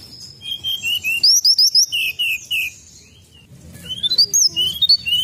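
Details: Sunda robin lure sound: bright high whistled notes in quick runs of short slurred and rising phrases, mixed with sharp chirps, a quiet gap after about three seconds, then more rising whistles over a faint low background rumble.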